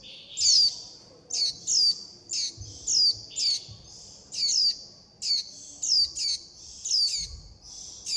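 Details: Young warbling white-eyes begging and calling the flock: repeated high, squeaky chirps, often in pairs, steadily spaced, with faint low thumps in the background.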